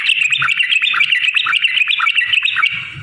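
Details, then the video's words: Yellow-vented bulbul pouring out a fast, unbroken run of bubbly, liquid whistled notes, chattering and warbling without pause. The song is used to provoke other bulbuls to sing. "kicau burung trucukan gacor cocok untuk pancingan trucukmu"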